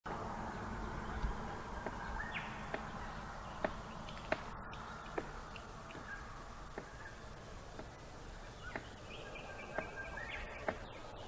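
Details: Palm cockatoo in a tool-assisted drumming display, tapping with a stick: sharp, dry taps at uneven gaps of one to two seconds, with faint whistled notes over a steady background hiss.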